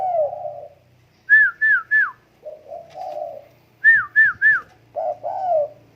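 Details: Low, mellow coos from a tame spotted dove alternate with sets of three high falling whistles; the coos come as short-then-long slurred phrases over a faint low hum.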